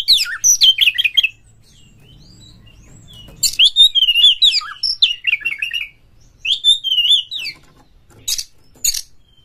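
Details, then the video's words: White-rumped shama song used to prompt others to sing: bursts of fast warbling whistles and slurred notes with sharp chips, separated by short silent pauses. "pancingan KACER Gacor buat Master KACER"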